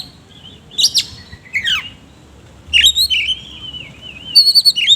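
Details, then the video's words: Ngobra-style singing by an oriental magpie-robin with rough fill-in phrases, starting with sharp steep downslurred notes, then a long wavering whistled phrase and a closing run of quick high notes. "BURUNG KACER GACOR NGOBRA ISIAN KASAR"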